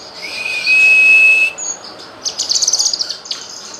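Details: Cucak kinoy song used as a tutor recording for songbirds: a long, steady high whistle, then a brief higher note and a rapid run of sharp, high trilled chirps with short pauses.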